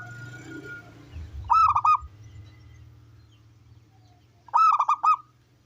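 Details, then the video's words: Indonesian local zebra dove with a big voice, used as a singing model to draw other doves into song; two stuttering cooing phrases of quick rolled notes about three seconds apart over a steady low hum. "Perkutut lokal gacor || Masteran Perkutut Lokal Gacor Suara Besar"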